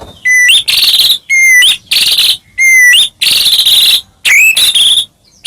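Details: White-rumped shama song for stirring other shamas: clear level whistles that jump upward, each followed by a loud harsh buzzing burst, repeated in alternating pairs.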